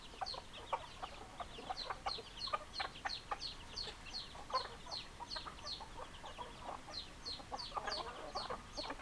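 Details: Hens and roosters in a flock giving a continuous series of thin, high falling chirps, evenly spread, with occasional mid-pitched clucks; fairly quiet overall.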